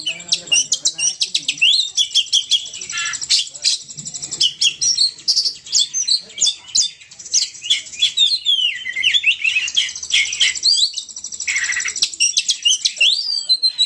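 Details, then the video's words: Poci bird lure recording from Indonesia: long, continuous, high-pitched chattering made of rapid chips, buzzy trills and quick rising and falling whistles, steady and busy throughout. "suara pikat burung poci"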